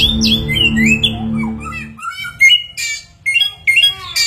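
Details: Chinese hwamei singing a varied song said to imitate many different sounds: sliding whistles, squawks and sharp chirping bursts in quick succession, with a low steady humming drone under the first two seconds.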